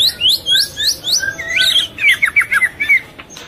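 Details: Breeding-condition female white-rumped shama feeding its young and calling to draw males; a run of short upslurred whistles gives way to lower, buzzy twisting notes repeated about three times a second, with faint rustling.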